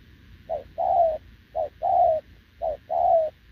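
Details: Spotted dove, a wild-caught short-legged bird, coos steadily next to a decoy: three clean pairs, each a brief clipped note and then a drawn-out descending coo, with a quiet low hum behind.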